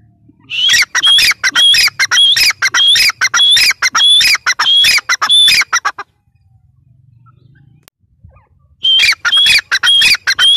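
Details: Grey francolin calling in two bouts separated by a pause of about three seconds: loud, quick, harsh squawking phrases, each ending in a piercing high whistle, repeated in a galloping rhythm.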